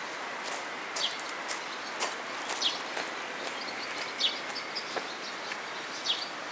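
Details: Grey wagtail at Agano, Japan, 16 May 2018, giving short high descending call notes at intervals of about one and a half seconds, four in all, against a steady broad background hiss.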